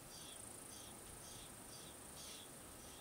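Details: Lewis's woodpecker chicks in a nest hole, visited by a pair of adults, give soft, buzzy, rasping notes about twice a second over a steady high insect trill, in Antelope Valley, Sierra Nevada, California, on 2 July 2020.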